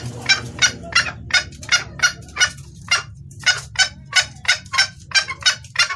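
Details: Calling female red junglefowl attracting a male, clear lure audio: rapid rasping clucks about three per second, fairly even at first, then crowding together in pairs, over a faint low hum.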